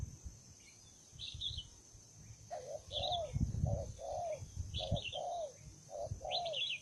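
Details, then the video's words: Hostile, fight-ready wild spotted dove cooing in paired low notes, a short coo then a longer arched one, repeated; high chirps of other birds and low rumbling background noise. "bổi 01 con đồng son hung hăng hiếu chiến như bọ xít"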